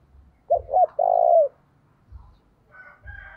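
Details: Spotted dove used as a decoy to call in wild doves. It gives a single phrase of two brief coos and then a sustained, slightly falling coo. Muffled low thumps follow, and a faint harmonic call is heard near the end.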